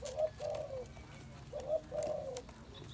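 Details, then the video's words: Spotted dove giving two low, soft cooing phrases, each a short coo followed by a longer, slightly falling coo, with a brief pause between phrases over faint background hiss. "Chim cu gáy"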